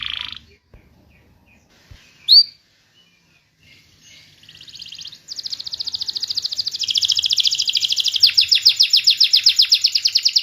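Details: Canary song intended to stimulate non-singing canaries: after scattered faint chirps, a soft buzzy trill begins and builds into a loud, steady fast roll of repeated notes.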